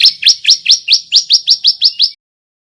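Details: White-breasted male bar-winged prinia learning its song, pouring out about ten loud, upward-sweeping high chirps in a steady rhythm of roughly five per second.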